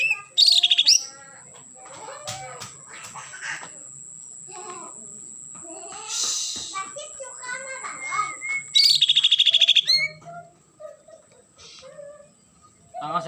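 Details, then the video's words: Mini green leafbird, just finished moulting and learning to sing again: busy bursts of varied chirps, slurred whistles and high twittering trills, with a few louder shrill buzzy notes, over a faint steady high tone and soft human voices. "burung cucak ijo mini baru selesai mabung sudah belajar bunyi lagi"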